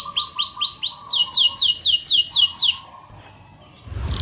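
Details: Canary song in the rolling style, meant to prompt reluctant canaries to sing: nine or ten clear downward-swooping whistles in quick succession over a soft low tone, then about a second of near silence and a faint rustle.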